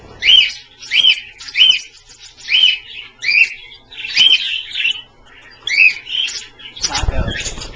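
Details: Pet Australian parrots given a daily bath in a shallow dish; quick high chirps repeated about twice a second, some doubled, ending with a burst of wing flapping and splashing.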